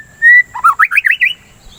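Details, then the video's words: White-rumped shama singing as a lure for kept birds: one long, pure, level whistle followed by a fast, warbled jumble of rich notes climbing in pitch. "Pancingan Suara Burung dan terapi murai batu biar tidak birahi"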